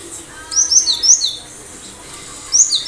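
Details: Cinereous tit in full, active song, kept for luring other birds into singing back: a quick run of high, thin, downslurred whistled notes, a short pause, then another pair of similar sharp notes over faint background hiss.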